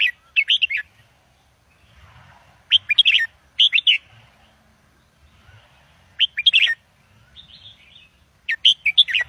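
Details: Caged red-whiskered bulbul, Indo double line, singing to teach young birds: quick bubbly whistled phrases of four or five notes, repeated roughly every two to three seconds, with faint low background rumble between phrases.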